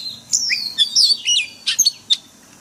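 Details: Short phrase of Oriental magpie-robin forest song used to train caged birds daily: a long descending whistle, a few bright slurred notes, then two crisp high chips.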